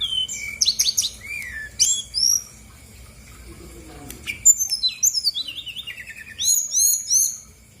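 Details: Energetic song of a female brown-chested jungle flycatcher from Bali, played to stir silent birds into singing back. Rapid clusters of sharp high chirps and descending whistles alternate, with a quiet pause near the middle and faint background hum.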